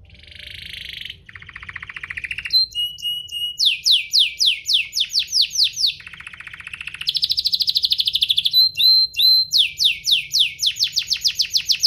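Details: Domestic canary singing to provoke other canaries: buzzy rolling trills at two pitches, short clipped notes, then bright tours of fast downslurred whistles and a high ringing trill, continuous throughout.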